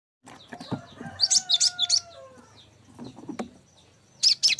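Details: Cinereous tit song used as a tutor recording for songbirds: a quick burst of about six high, sharp chirped notes, with a faint falling tonal whistle underneath and soft low thumps and clicks around.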